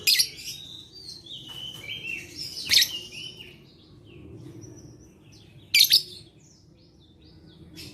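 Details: Lovebird song played to stimulate reluctant lovebirds to sing, dated 11/4/21: loud harsh buzzy chattering bursts alternating with quick descending twittery notes, three strong bursts spaced a few seconds apart over faint low background hum.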